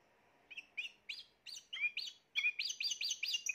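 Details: Spanish Timbrado canary of the 2020 season giving separate chirps that speed up into a series of rising notes, with a low hum behind them.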